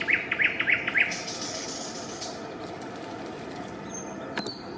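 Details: Eurasian coot at a family nest with chicks, Raszyn ponds near Warsaw, Poland, 4 May 2024: four short, sharp, rasping notes in quick succession within the first second, then steady wetland hiss and a single click.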